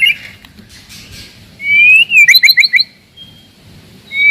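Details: White-rumped shama song for provoking rivals and testing young birds: a clear rising whistle followed by five quick paired notes, then near silence and a final whistle.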